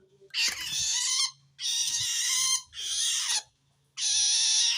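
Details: Long-tailed shrike giving harsh calls toward wild shrikes, a sign it feels threatened by other shrikes; four long, grating screeches nearly back to back, low hum underneath.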